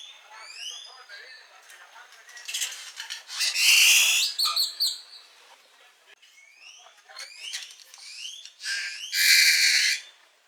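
A Great-tailed Grackle gives a series of sharp rising whistles, then a loud harsh crackling burst, with the whole sequence repeated twice.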